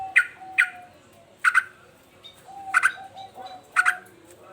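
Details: Agitated male sooty-headed bulbul singing actively: short, loud, bubbly chirped phrases in quick pairs, repeated roughly every second, with a faint steady whistled tone running beneath.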